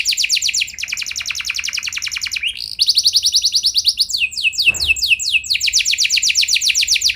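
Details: Canary song meant to stir other canaries to reply, dense high rattling trills running almost nonstop, broken by a short rising slur and a few slower sweeping notes before the rapid rolls resume.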